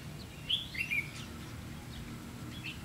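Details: Red-whiskered bulbul recorded during trapping with a decoy bird on 30 May 2016: a short burst of high, warbled, sliding notes, then a softer chirp near the end, over a low background hum.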